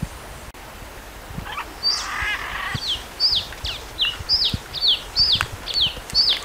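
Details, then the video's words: A rough, buzzy burst opens, then a red-capped cardinal delivers a rapid string of bright, down-slurred whistles, roughly two each second. "CANTO DO CARDEAL DA AMAZÔNIA"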